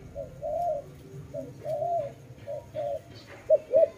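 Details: Soft dove cooing, alternating brief notes and longer smooth coos at a steady low pitch, ending in a louder cluster of short notes, light background hum.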